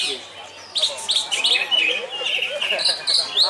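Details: Greater green leafbird, yellow-headed form, at a singing contest, performing energetically and showing off its song repertoire: quick high twittering phrases and sharp chirps, densely strung together after a quiet opening, with faint crowd noise beneath.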